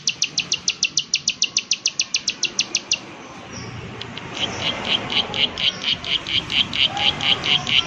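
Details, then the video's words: A lively prinia gives the "klik klik" call: a fast burst of about seventeen crisp, high ticking notes, a brief pause, then a second, slightly softer run of rapid clicks over steady outdoor noise. "Prenjak Klik Klik Gacor"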